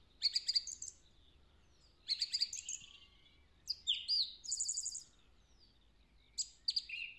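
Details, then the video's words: Song thrush in woodland, April 2020, heard singing a Woody Woodpecker-like song. Sharp, high, chattering phrases are often given twice, with rapid trilled notes and downslurred whistles separated by short pauses and a faint low background hum. "Songthrush singing the Woody Woodpecker song"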